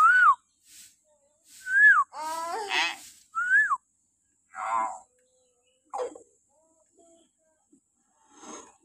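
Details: Shrill morning whistles of a common hill myna, played to train captive birds: rising-falling whistled notes alternating with a rasping, buzzy call and a few softer harsh notes, then quieter calls fading out.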